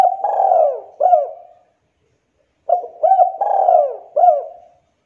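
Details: Spotted dove song used to provoke other doves into calling: two bursts of low, soft cooing phrases, each a purring coo followed by a short clipped note, separated by about a second of silence.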